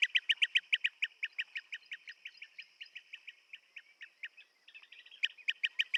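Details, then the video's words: Rapid series of short, rolling, trilled chirps from a blue-tailed bee-eater, about four a second, slowing and fading midway, a brief pause, then resuming loudly. "Tiếng chim Trảu đuôi xanh - Blue tailed Bee eater"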